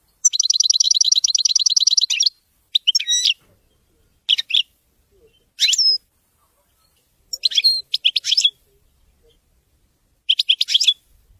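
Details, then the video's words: European goldfinch singing in the wedani style: a two-second run of fast twittering notes, then short bright tinkling phrases separated by pauses of about a second. "تغريد ويداني لطائر الحسون"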